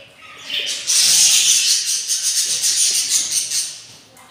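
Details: Hungry budgerigar chicks, three newly hatched from a clutch of eight eggs, day four of breeding: a continuous hissing, rasping begging sound rises and pulses for about three seconds.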